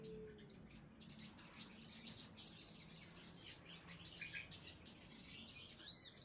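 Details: Crimson sunbird pouring out a long, dense run of high, rapid chirps and twitters, with a soft lower whistled note at the start.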